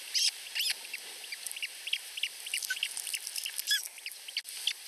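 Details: Two osprey chicks under a week old at a nest in Finland beg while competing for food from their mother. Dense, scratchy cheeps and short high chirps come in irregular bursts over a steady hiss.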